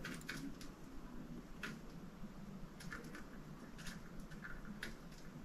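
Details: Quiet indoor room tone with scattered soft ticks and light tapping, no animal voice.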